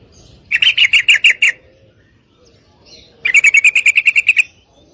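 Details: A female yellow-vented bulbul calls a male for mating with two bursts of rapid, ringing chattered notes, the second longer at about twelve notes, divided by a short quiet spell.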